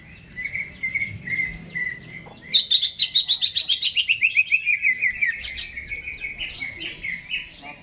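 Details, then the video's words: Caged greater green leafbird singing before being hung up: a run of clear whistled chirps near one pitch, then a fast series of sharp descending notes repeated several times a second, ending in softer warbled phrases. "CUCAK HIJAU GACOR...Sebelum di gantang"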